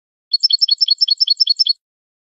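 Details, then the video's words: Canary singing in the malagueño style, from a recording made to teach young canaries: a rapid, even trill of paired high chirps, about twelve repeats in under one and a half seconds, clean with no background sound. "cd canto malagueño"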